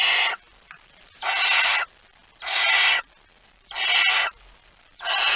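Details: At a barn owl nest with prey, 23 September 2019 shortly after midnight, harsh broadband screeches of about half a second repeat steadily, roughly one every 1.3 seconds, over quiet background.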